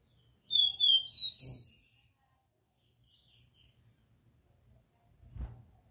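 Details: Pure 'Dó Ré Mi' song of a Copper seedeater, played to warm up a captive bird: four quick, high, clear whistles building to a louder, rising-falling final note, then silence with a faint low knock near the end.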